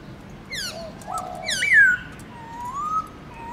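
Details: Black-throated laughingthrush, morning 'forest voice' song: high sharp notes, a flat lower whistle, a loud falling slurred whistle, and a soft rising glide.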